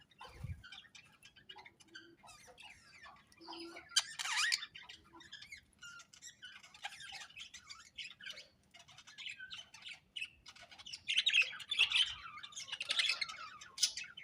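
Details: Budgerigars in a colony described as happy, giving scattered, quiet high chirps and squawks with bursts of denser chattering near the middle and end, plus a brief low thump at the start.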